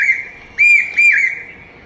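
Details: Common hawk-cuckoo, the brain fever bird, giving a loud shrill whistled phrase of two drawn-out notes, the second falling away, rich overtones, quiet background.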